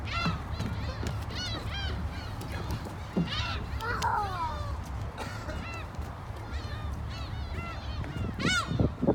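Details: Many gulls in Korea giving a busy stream of harmonic, downward-curving squealing cries, some long and some clipped, with a constant low background rumble.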